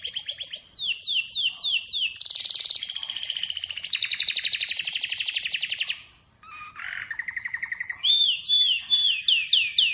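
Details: A loud, varied Atlantic canary song: repeated downslurred notes, a harsh buzzy burst, long rapid rolling trills, a short gap, then low buzzes and repeated rising whistles.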